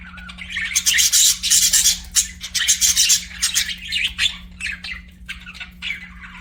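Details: Chirping pet budgies: rapid, scratchy high warbling in dense bursts, loudest early on, fading to sparser clicks and chirps toward the end, with a constant low hum in the background.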